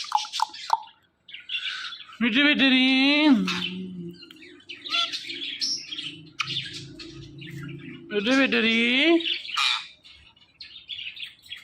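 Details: A pet ringneck parrot talks in two bursts of high, nasal, speech-like phrases, with sharp chirps and squeaky whistles scattered between them.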